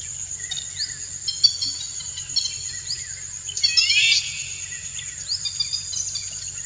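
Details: Courtship song of a male Indian golden oriole directed at a female: scattered short upslurred notes, then a stronger burst of arched harmonic notes near the middle, all set against a constant shrill insect hum.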